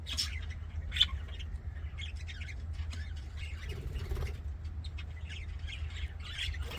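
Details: Budgerigars in an aviary making happy sounds: scattered sharp chirps and short squawky notes over a steady low hum.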